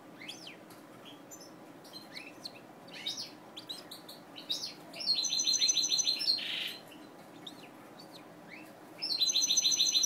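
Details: Captive mutation European goldfinch giving scattered soft chirps, then two loud bursts of rapid buzzy, trilled song, each lasting around one and a half seconds, separated by quieter calls.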